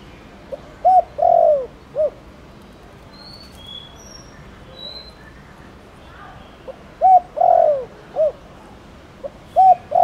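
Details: Spotted dove from Thổ Đồng calling to prompt other doves to coo: two low three-part coo phrases, a short note, a drawn-out falling coo and a brief final note, separated by a long pause with faint high whistles.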